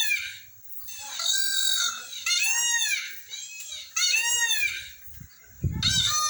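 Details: Peafowl in Belo Jardim, Pernambuco, Brazil, heard by day or toward sunset: several overlapping high, strained wailing cries, partly smeared together, with a thud of handling noise near the end.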